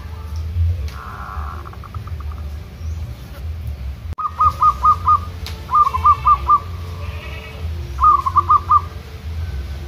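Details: Local zebra dove, trained outdoors to sing continuously while countersinging with wild zebra doves in the 'kerot ntretek' style: three bursts of four to five rapid, bubbly cooing notes at even pitch, separated by pauses, over a low background rumble.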